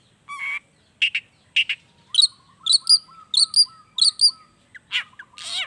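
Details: Long-tailed shrike singing natural-style material, used as a lure so idle shrikes join in: harsh double chatters, then a steady low whistled trill under paired bright high notes repeated about twice a second, ending in rough squawks.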